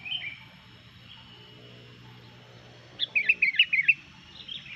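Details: After a faint opening note and a quiet stretch, a Sooty-headed bulbul bursts into a fast, jerky run of about seven bright chirping notes. Its lively song is said to provoke other bulbuls.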